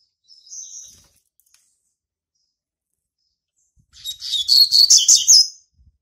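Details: Territorial song from a young male Double-collared Seedeater hatched in March 2019: one thin whistled note, a long pause, then a loud fast sequence of sharp, chattering high chirps.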